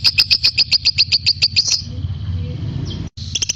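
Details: Lovebird song used to train magpie-robins. A rapid series of about a dozen sharp high chirps comes at a steady pace, then a noisy pause with low rumble, and a few chirps resume at the end.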